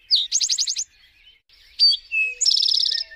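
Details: Eastern towhee song, close and clear: a sharp slurred note runs into a fast trill of about six pulses, then a second phrase of bright notes and a longer rapid trill. A faint low whistle follows.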